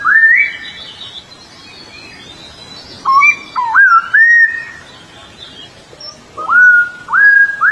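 Purple sunbird giving clear, rising whistled notes in three short bursts a few seconds apart, some slurred upward and some held level, over faint background hiss.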